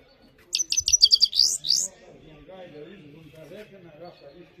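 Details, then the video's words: Himalayan goldfinch singing one quick burst of about ten sharp, high, slurred notes ending in a rising twitter, over faint low tonal background sounds. "The best himalayan gold finch clean voice singing"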